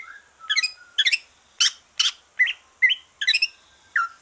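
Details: Green leafbird after moulting, relaxed song meant to stimulate other birds: quick chattering bursts and short rising whistled notes, repeated roughly every half second in a steady rhythm, with no other sounds.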